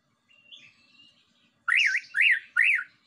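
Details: White-rumped shama song used as a lure to provoke other birds: a faint thin whistle, then three loud rolling up-and-down phrases repeated about every half second.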